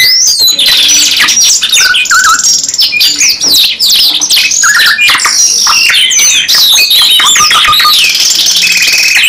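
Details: Canary singing long uninterrupted phrases (gacor nembak panjang): quick high chirps, swooping whistles and fast buzzing rolls follow one another densely and loudly for the whole stretch.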